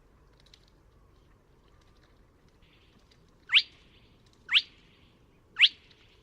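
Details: Spotted crake found on 24 March 2017 at Neda, A Coruña: three sharp, whip-like rising notes, each about one second apart, over a low steady background rumble.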